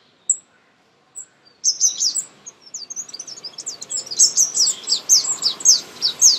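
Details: Close-up feeding of baby birds: after two isolated high peeps, an excited run of sharp, downslurred chirps builds into a fast, steady series of nearly two notes per second.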